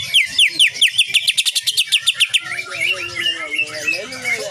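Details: Greater green leafbird song used as a training recording for cage birds: quick run of repeated rising whistles and rapid ticking notes, then a lower warbling buzzy phrase.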